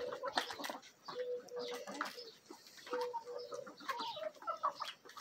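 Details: Mixed backyard flock of Marans, Araucana and Olive Egger hens with a Bielefelder-Marans rooster during a feeding frenzy; short sustained level clucks in bursts, interspersed with sharp pecking taps and rustling.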